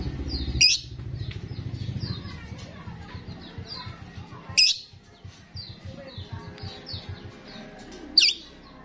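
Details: Lure recording of a chatty, frequently singing starling meant to draw in other starlings: three sharp, piercing high bursts spaced about four seconds apart over rumbling low-pitched pulsing noise.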